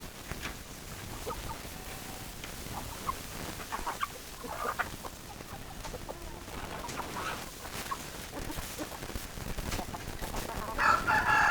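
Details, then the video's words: Chickens, hens and roosters, in a farmyard flock: scattered short clucks in the mid range throughout, with soft background rustle and one louder, harsh, harmonic squawk bursting in during the last second. "Chicken Sounds Noises Hens Clucking Roosters Crowing"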